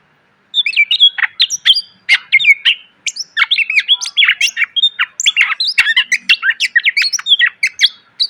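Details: Dense, continuous greater green leafbird song for training cage birds, a fast jumble of chips, squeaks and whistled slurs after a short silent start, full of filler phrases.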